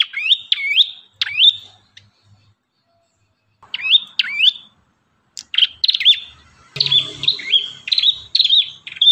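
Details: Actively singing Ashy tailorbird, recorded for tutoring caged birds: repeated high, rising hooked chirps in several bursts, becoming a dense, continuous run of notes in the last few seconds.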